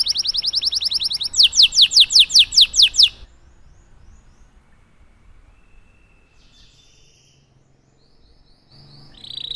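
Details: Canary with a long song for training young birds to sing: about three seconds of buzzy trill and rapid descending whistled notes, then near silence with faint distant chirps.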